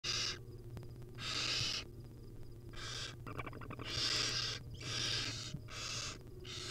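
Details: Wild barn owl nestlings begging while their mother feeds them tiny bits at a nest; harsh, hissing, broadband screeches about half a second to a second long, repeated in a steady series with short gaps, over a low steady hum.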